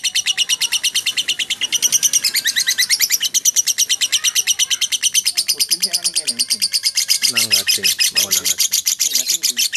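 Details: Lovebird delivering konslet ngekek: long, loud, high chattering trill of rapid repeated notes running continuously, with lower voices or murmuring sounds joining in during the second half.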